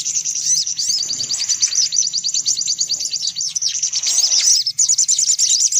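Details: Sunbirds in a lure recording used to attract sunbirds: dense, rapid, very high-pitched chirps and thin twittering notes in a near-continuous stream, with a faint low hum beneath.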